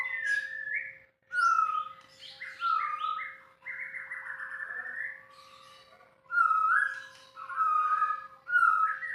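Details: White-rumped shama pouring out a varied song of fluty whistles, slurred notes and sharp high flourishes, phrases broken by short gaps; faint steady hum.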